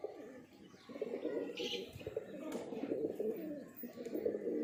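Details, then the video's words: A breeding pair of pigeons coos steadily. Low, murmuring coos overlap almost without pause over several seconds, with a brief higher chirp and faint outdoor background. "Breeding pair pigeon"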